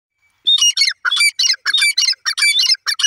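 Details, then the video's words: Grey francolin pair, with the female's voice, giving a loud harsh call: rapid rhythmic bursts of grating notes repeated about every quarter second, in steady groups for three seconds. "Grey francolin voice Gry partridge voice Dakni teetar pair"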